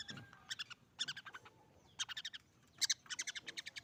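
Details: Juvenile long-tailed shrike practising its immature, still-rough song: clusters of sharp chattering notes delivered in quick stuttering series, each group of three to six, with short gaps between groups and a quiet background.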